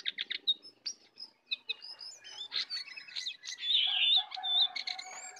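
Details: Contest between wild and caged sooty-headed bulbuls, full song; scattered chirps then a louder tangle of overlapping whistles and buzzy notes building toward the end.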